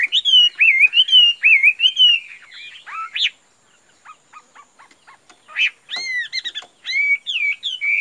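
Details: Chinese hwamei in a cage, a bird with fine face markings and bright plumage, giving strong repeated looping whistles, then a pause of soft clicks before more rich, rising and falling whistled phrases.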